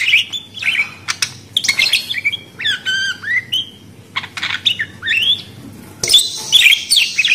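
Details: Budgerigar calling: rapid chattering warbles with squawky, buzzy notes and short rising and falling whistles, in irregular bursts, ending in a harsher screechy burst.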